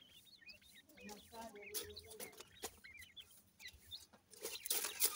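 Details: Young grey francolins at food: busy high chirping with quick slurred peeps and some deeper clucks, then a burst of hissing noise over the final second.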